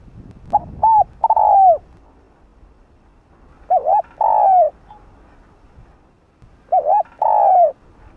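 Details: A male spotted dove, used as a decoy to excite other doves into calling, gives three phrases of soft, low cooing, about three seconds apart, each a couple of short notes then a longer drawn-out coo.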